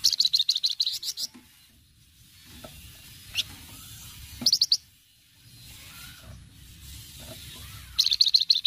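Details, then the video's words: Flamboyan delivering lively cretetan chatter as a lure: an opening run of fast, high, rasping pulses, a lone click, a short rattle midway, and another quick pulsed burst at the close. "cretetan flamboyan gacor"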